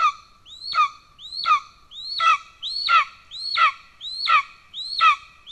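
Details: Golden eagle at its nest in Estonia on 17 July 2024, father with a pigeon, young already fed: eight insistent, upswept-then-falling piercing calls in rhythmic sequence, every 0.7 seconds, over a quiet, faintly rumbling background.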